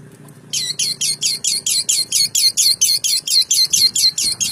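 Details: Long-tailed shrike delivering loud, harsh, scratchy notes repeated steadily about twice a second after a brief quiet start.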